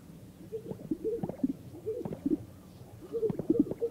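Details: Greater sage-grouse males strutting in morning mating display on a remote historical lek in sagebrush, North Park, Colorado: low bubbling gulps and hollow pops with brief swishing rustles, repeated every second or so by several overlapping males.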